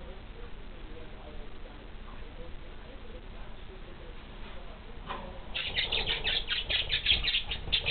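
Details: Two pet budgerigars eating seed break into rapid, scratchy chirps after a few seconds of quiet background hiss.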